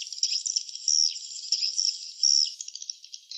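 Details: Chirping swiftlets at a nest site produce thin, high, buzzy notes, some sliding down in pitch, run together in an uneven chattering stream for a few seconds.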